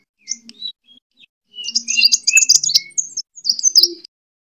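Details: Sunbird fighting song, kolibri tarung, meant to lure and train birds. Scattered high squeaks and whistles build into a jumbled burst of sharp, varied chirps, then a few final high slurred notes.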